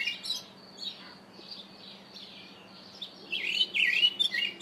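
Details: Karoo thrush calling: faint high notes at first, then a louder warbled, whistled phrase near the end, over steady background hiss and a low hum.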